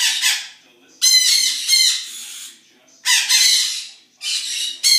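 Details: Noisy birds at a zoo in the morning giving loud, harsh, raspy squawks in bursts of about a second, several in a row with short pauses between them.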